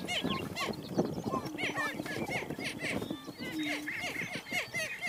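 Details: Two male greater prairie-chickens confront each other at a territorial boundary on a lek while a female is present, with cackling and squatting but no fight: rapid cackles, whoops and yelps over low hollow hooting, several birds calling at once.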